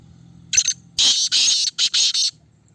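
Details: Black francolin kept in a red cage, tested for calling, gives a brief scratchy note and then a loud, harsh, grating phrase of four buzzy bursts, with a low murmuring background.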